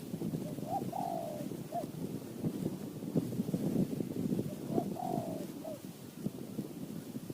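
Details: Wild spotted dove from high mountain forest in Thailand, a prized voice answering a decoy: two low hoarse cooing phrases, each a short note, a long slurred coo and a short closing note, over steady rustling background noise.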